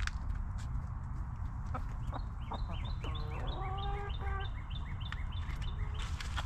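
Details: Backyard hens in a coop, kept as homestead chickens, giving a short run of clucks in the middle: stacked, nasal notes repeated quickly for about a second and a half, over a steady low rumble of background noise.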